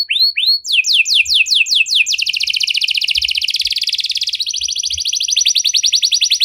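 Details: Canary performing a luxurious 'cengkok mewah' song: two curling swoops, a run of falling slurred notes, then a sustained, fast, rattling trill that steps down slightly in pitch.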